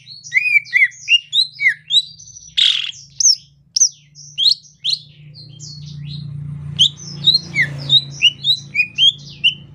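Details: Rainy-season greater green leafbird in soft 'ocehan lemas' style. A rapid, dense jumble of high chirps and twisting whistles is broken by one harsh squawk. A low steady hum sits beneath the song.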